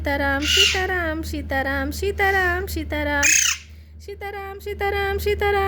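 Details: Baby parrot chick, described as a young talking parrot, giving a run of short, nasal, harmonic calls in quick succession, broken by two harsh rasping screeches, with a steady low hum underneath.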